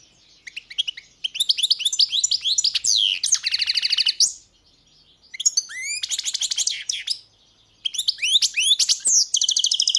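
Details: European goldfinch singing rapid twittering phrases of liquid chirps, buzzy notes and fast metallic trills, delivered in three bursts separated by short silent pauses.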